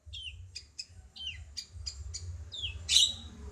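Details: Bulbul known locally as cucak cungkok, song used as a tutor for songbirds: a quick series of short high chirps, several sliding downward, ending in a louder burst near the end, over a soft low rumble.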